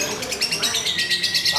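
A lovebird chatters in a fast run of shrill, high chirps, repeated several times a second with little pause, and a faint voice is possibly in the background.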